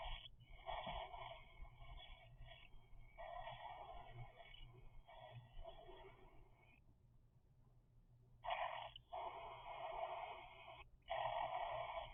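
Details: Three-week-old cockatiel chicks give harsh, raspy, rapidly pulsing begging calls in long bursts broken by short pauses, over a faint low background hum.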